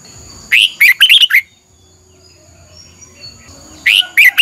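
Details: Red-whiskered bulbul singing in the morning as a training song to stimulate other bulbuls: a rapid phrase of six chirpy, warbling notes, then a pause, then another phrase beginning.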